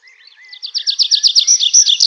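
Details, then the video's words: Nightingale singing in the night forest: a soft low whistle and faint notes that build into a loud, accelerating series of rhythmic, high, clipped notes. "How beautifully the nightingale sings"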